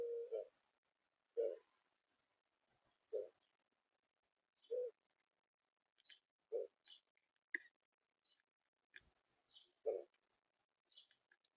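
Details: A Mourning Dove gives soft, low, hollow hoots, about one every one and a half seconds, with faint high clicks and chips in between.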